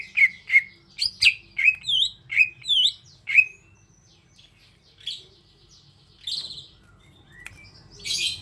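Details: Greater green leafbird song: a quick series of sharp bright notes with short upward whistled flicks, about eight in three seconds, then a pause and scattered high chattering phrases; quiet background.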